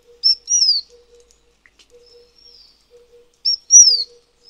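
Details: Taiwan fulvetta, a Taiwan endemic of high mountains that winters at mid altitudes, gives two high, thin phrases about three seconds apart, each a short chip then a slurred, falling whistle, over a faint low hum.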